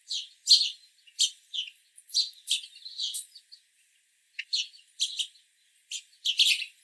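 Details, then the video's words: Backyard house sparrows chirping busily: steady runs of bright, overlapping chirps, a brief lull midway, then another lively flurry. "House Sparrow Sounds and Calls"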